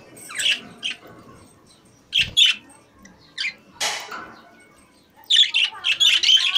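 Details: Budgies in a cage give scattered high chirps and squeaks with gaps between, a brief rattling knock, then a lively run of buzzy chattering warble to close.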